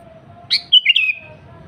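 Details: Sooty-headed bulbul, a lively singer used as a lure for wild birds: a brief burst of three or four liquid, slurred notes around mid pitch, with a steady low hum behind.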